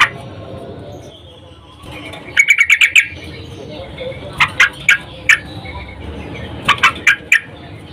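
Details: Female sooty-headed bulbul calling a male, in breeding condition; a quick burst of five buzzy notes, then scattered sharp chips in small clusters over a low background rumble.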